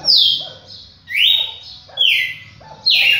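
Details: A champion red-cowled cardinal sings loud, full whistled notes, some falling and one rising then leveling, roughly one per second, with soft low notes between.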